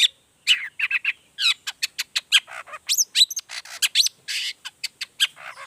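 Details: Long-tailed shrike (cendet) in lively gacor form with a 'toet toet' variation, used as a lure to set other shrikes singing: a dense, fast run of harsh chattering notes mixed with sharp whistled and buzzy phrases, nearly continuous.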